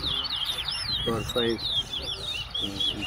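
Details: Towa towa of the Wessequibo style competing in a whistling contest at Tuschen bird ground, Guyana; looping high whistled phrases rise and fall quickly while men talk nearby in short bursts.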